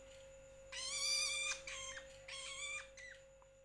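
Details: Young long-tailed shrike giving one long, harsh, overtone-rich squall followed by several shorter grating calls, with an electrical hum throughout.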